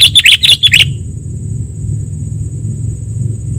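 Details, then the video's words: Sooty-headed bulbul (kutilang) song used as a lure for trapping and as a training model: a quick burst of about five bright, slurred chirps in under a second, then only a steady low rumble and hum. "SUARA PIKAT KUTILANG"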